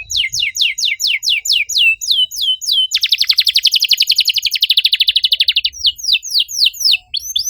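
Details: Caged-style canary song: evenly spaced falling whistles, then a long, rapid, buzzy trill lasting about three seconds, ending with quicker rising-and-falling sweeps; clean and continuous.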